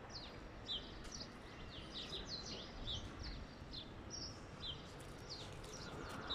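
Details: European goldfinch singing to encourage mating: a steady run of quick, high twittering chirps and short slurred notes over a constant background hiss.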